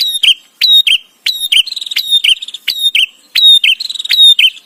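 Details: Bar-winged prinia song used as training material for white-rumped shama: sharp high downslurred notes alternating with buzzy chattering trills near the top of the range, in phrases repeated about every 0.6 seconds. The background is quiet.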